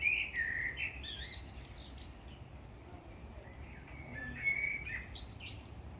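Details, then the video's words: A blackbird sings mellow, fluted whistles in short phrases, ending in a higher, scratchy twitter, over a low background hum. "Black bird singing.."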